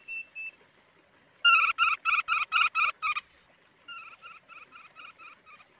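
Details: Thick-billed white-eye song recorded as lure and master material for caged birds. Two short notes are followed by a loud run of about seven evenly repeated, rich, buzzy notes, and then a quieter, slower run of similar notes.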